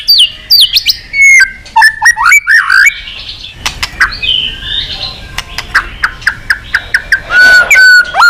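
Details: White-rumped shama calling a rival, giving bursts of slurred whistles and chips, a quieter stretch of soft rustling and scattered clicks, then clear repeated whistled notes.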